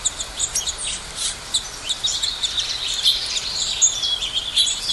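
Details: Chirping birds give bright, high-pitched tweets and brief trills at an uneven pace, several notes overlapping against a soft, steady background hiss.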